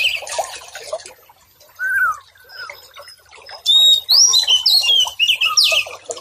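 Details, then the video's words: White-rumped shama song for tutoring and calming stressed, silent birds: scratchy notes and a few lower slurred whistles, then a loud run of high, bright rising whistles and fast chattering phrases. "Masteran Sekaligus Terapi Brainwave Murai Batu Stress Dan Macet Bunyi"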